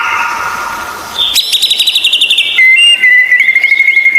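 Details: White-rumped shama tutor song for coaxing captive birds to sing: a buzzy doubled tone, then a fast rattling trill of high notes, ending in a long steady whistle broken by quick flicks.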